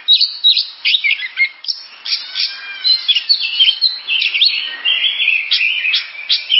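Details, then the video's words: Oriental magpie-robin in full song: bright whistled phrases mixed with sharp chips and scratchy notes, loud bursts alternating with softer warbling, varied throughout. "Suara burung kacer"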